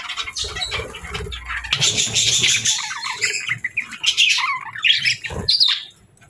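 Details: Budgerigars kept as pets give busy mixed chatter: raspy warbling, short whistled chirps and squeaks overlapping, with a few soft low knocks early on and a rising chirp near the close.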